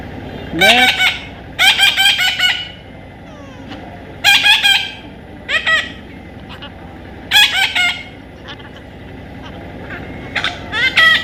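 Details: Baby Indian ringneck parrot being tamed, producing bursts of loud grating squawks in clusters separated by quiet gaps of one to two seconds.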